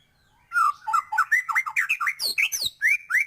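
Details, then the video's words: White-rumped shama, a lively singer, delivering a dense burst of loud whistled and chattering notes, rapid slurred phrases rising and falling, with a few sharp upswept high notes near the end. "Murai batu gacor,, full isian cepet naikan emosi burung"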